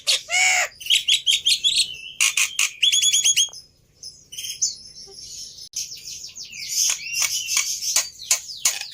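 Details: Jalak putih (black-winged myna) lure song to make a silent bird respond: a harsh drawn-out squawk, quick metallic rattling trills, a brief lull, then renewed grating chatter.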